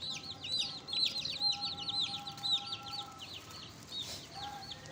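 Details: Pet chicks, a fresh addition kept with a hen: loud, clear peeping, repeated downslurred cheeps from several chicks, a rustling burst near the end, steady faint tones behind.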